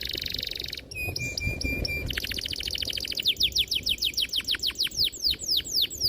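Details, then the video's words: Long, clear, sharp canary song used to stimulate young canaries learning to sing: a buzzy high trill, then a short rattling phrase, then rapid repeated downward-sweeping whistled notes, quickening into rolling slurs. "PANCINGAN KENARI GACOR PANJANG || PANCINGAN KENARI PAUD BELAJAR BUNYI || MASTERAN KENARI PAUD"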